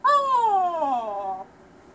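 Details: Pet cockatoo indoors in a small room giving a single long descending wail, harmonic-rich, sliding slowly downward for about a second and a half before stopping.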